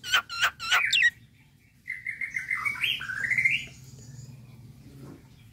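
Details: Nias hill myna calling, given as a calm call meant to make another bird answer: three harsh squawks, a short pause, then warbling whistled notes rising and falling.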